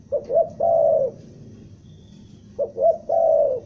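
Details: Spotted dove from Bandung, used as a trapping lure in a stuttering style: two short cooing notes, then a long, even, mellow coo, the phrase given twice about two and a half seconds apart over a quiet background.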